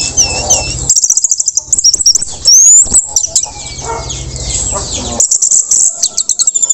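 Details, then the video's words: Orange-headed thrush singing teler after its moult, for spotted young birds to copy: high sweeping whistles and sharp chips, then a long falling thin whistle, followed by rapid ticking notes. "anis merah teler usai mabung bagus untuk anis merah trotol agar cepat teler"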